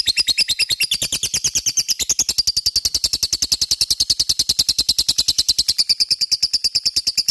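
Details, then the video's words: Ngekek song of a lovebird, played to make other lovebirds answer: a continuous, rapid, even stream of shrill rattling chirps without pause. "Pancingan LOVE BIRD gacor ngekek,mudah di respon lawan"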